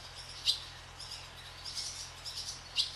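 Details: Flying barn swallows over a swallow farm give two sharp high chirps roughly two seconds apart, with faint twitters in between over background hum.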